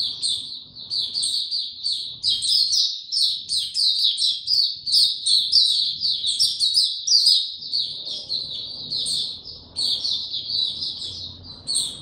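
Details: White-eye singing in a cage on 29 April 2022, in power down mode and given no health supplements: a long unbroken stream of quick, high, chattering notes, with a faint low hum underneath.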